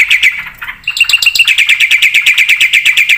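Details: Javan pied starling in a lively, full-repertoire song: a fast run of sharp chattering notes, about three per second, each with a bright ringing whistle, briefly broken near the start.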